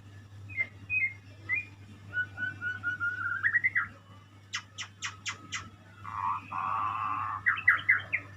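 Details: Murai (white-rumped shama) song of soft whistles building into a rising whistle, then a series of sharp clicks, a harsh buzzy note and quick trills, with a low hum behind.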